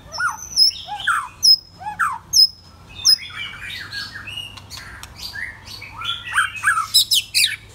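A white-rumped shama sings a rich, varied run of clear whistles, upward slurs and rapid chattering phrases, with high sharp notes woven between.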